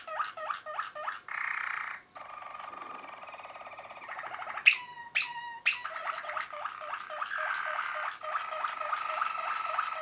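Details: Malinois Waterslager canary, 2023, singing a varied sequence: quick clipped notes, a rolling trill, a steady warbled passage, three loud bell-like notes near the middle, then rapid repeated notes again.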